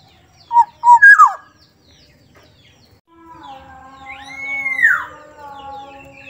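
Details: Sumbawa black-naped oriole, soft-voiced, opens with two short whistles and a falling slurred note, then after a pause gives a drawn-out arching nasal note over a steady low humming drone.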